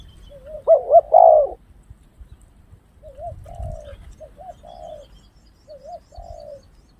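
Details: Spotted dove used as a lure for wild birds, giving a strong opening phrase of low, rounded coos, then three quieter repeated coo phrases a second or so apart over light low rumble.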